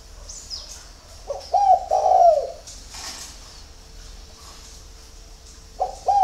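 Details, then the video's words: Captive spotted dove in Ba Vì, Hanoi, Vietnam, at early morning: one hoarse, purring coo phrase, a long quiet gap, then the start of another, with scattered high chirps of other birds. "CU GÁY SÁNG SỚM"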